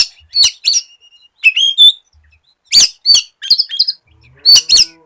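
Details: White-rumped shama singing as a lure for other shamas: short separated bursts of sharp, high chips and buzzy notes, with one clearer whistled phrase near the middle, about six bursts in all.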